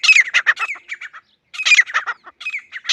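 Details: Loud, harsh, rhythmic grey francolin calling in two dense bursts of rapid notes separated by a short pause, then a third series starting.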